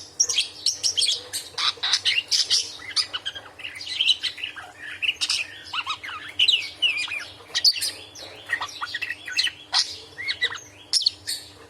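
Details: Budgerigar chattering nonstop when angry, a full, loud scolding stream used to train other cage birds: dense, scratchy chirps, squeaks and buzzy notes tumbling together for twelve seconds with hardly a pause; faint hum beneath.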